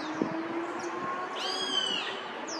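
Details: Roadside hawk spooked by other birds' tweets: one harsh, strained scream of about half a second, slightly arched, rich in stacked overtones, follows faint thin descending whistles from other birds, with a low hum of background noise.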